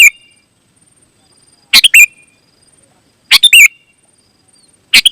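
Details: Sooty-headed bulbul song, used as a lure to draw wild bulbuls in the forest and to prompt caged birds to answer: short, loud, bubbling chirpy phrases of rapid notes, repeated about every one and a half seconds with silence between.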